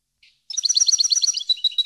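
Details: A European goldfinch sings on a tutor recording made for teaching goldfinches, a quick, bright, tinkling twitter of high notes, about ten a second, sliding and chattering over a clean, quiet background.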